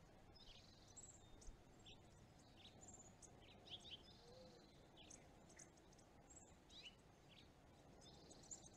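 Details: House finch nestlings in a nest in California giving thin, high chirps and squeaky notes in scattered bursts, with a steady low rumble of background noise.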